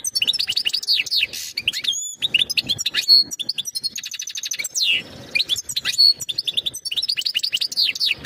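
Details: European goldfinch singing mating calls to prepare the female for breeding: bubbly, high twittering of rapid chirps, a couple of clear ringing notes and a buzzy trill, delivered in quick, irregular phrases.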